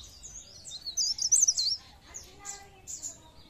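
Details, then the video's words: Pare pare bird singing, played to prompt other birds into song: a loud burst of rapid, high-pitched twittering trills, then a pause and several separate sharp chirps, over quiet background hiss. "Pancingan bunyi ampuh burung pare pare"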